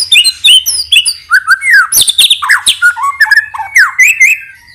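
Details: White-rumped shama (murai batu) lure song, played to make other shamas sing excitedly: a loud, rich, rapid medley of whistles, slurred rising and falling notes, trills and sharp clicks with no pauses.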